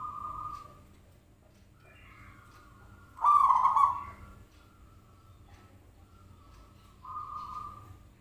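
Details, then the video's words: Zebra dove cooing played as a lure to prompt a reply: a soft sustained coo, a quiet pause, one loud rolling coo, then another soft coo after a long gap. "Pancingan Perkutut Klik Langsung Nyaut"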